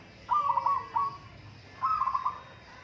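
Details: Zebra dove, local bird, singing in a contest; two soft trilled phrases of quick stuttering coos, the first broken into several beads with a short tail note, the second a tight rapid trill.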